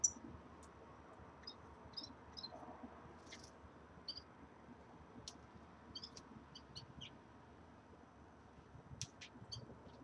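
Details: Common redpolls settling into a new cage give short, high, chipping and twittering call notes, scattered irregularly, some in quick pairs, over a soft hiss of background noise.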